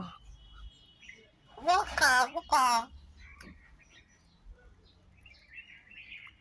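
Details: Common myna mimicking human speech with two closely spaced, voice-like bursts in mid-clip, each with stacked harmonics and a wavering contour, followed by faint scratchy sounds and near silence.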